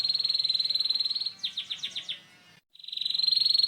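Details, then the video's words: Canary in ngeriwik style, a training sound for young canaries: a steady high buzzing trill, then five or six sharp descending slurred notes, a moment of silence, and the rattling trill starting again. "kenari ngeriwik kasar 100% RESPON❗Suara Pancingan KENARI PaUd Cepat BeLajar BUNYI NgeriwiK"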